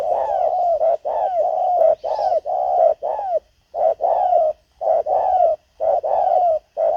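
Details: Spotted dove decoy luring wild birds, with loud continuous runs of mellow coos, several joined closely together, then separated pairs repeated roughly once a second.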